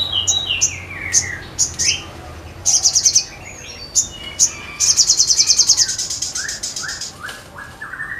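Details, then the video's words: Sogon, gacor (singing actively): bright high chips and short trills at first, then a long rapid trill, with descending slurred whistles repeated on a lower pitch. "SOGON GACOR"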